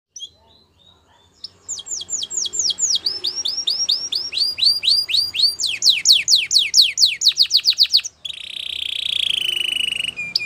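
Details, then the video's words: Belgian canary singing a varied song: soft opening notes, then fast series of descending whistled sweeps repeated in quick trills, ending in a loud buzzy rattling phrase. "Belgian canary singing"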